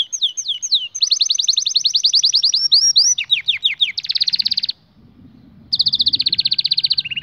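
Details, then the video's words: Canary singing a varied song of fast repeated tours: quick downslurred whistles, long rapid trills, a buzzy rolled phrase, a brief pause, then another dense rapid trill ending in lower notes. "هل لديك كناري لايغرد"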